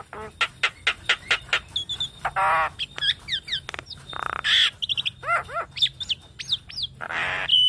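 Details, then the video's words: Javan myna masteran and pancingan to make mynas sing: rapid sharp clicking notes, a raspy buzz, thin whistles, arched squeaky notes and a final harsh buzzy burst, delivered briskly. "Masteran dan Pancingan Jalak Kebo"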